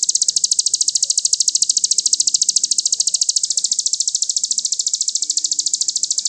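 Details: A crested jay from a songbird-training master recording gives a long, unbroken, very fast high rattle of even clicks, steady in pace and loudness throughout, with faint low background sounds.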